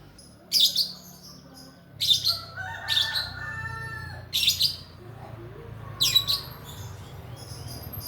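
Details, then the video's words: Caged lovebird, two and a half months old, calling to provoke a rival; shrill high chattering bursts repeated roughly every one to two seconds, with fainter lower squeaks and a steady background hum. "LOVEBIRD PAUD 2,5 BLN, Rajin bunyi pancing lawan langsung bunyi"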